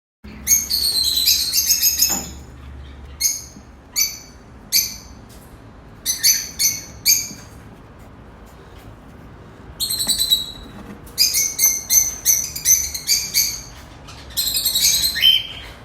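Newborn cockatiel chicks give high, raspy, hissing bursts in quick uneven runs, the typical begging call.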